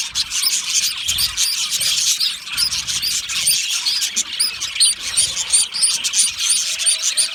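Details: Loud calls of lonely budgerigars seeking contact or attention; a run of sharp, rapid high chirps repeated many times a second over ongoing squeaky chatter.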